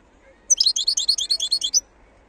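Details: Wild European goldfinch singing: one quick burst of about ten high, tinkling twittered notes lasting just over a second, with a quiet background.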